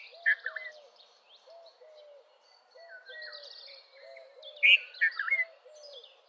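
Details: Red-vented bulbul delivering cheerful, slurred two- and three-note phrases at the start and again later, over high twittering from other birds and a steady low hooting rhythm.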